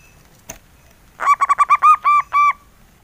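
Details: Engkel song of a local male zebra dove: a faint click, then a rolling phrase of soft cooing notes that start quick and lengthen toward the end.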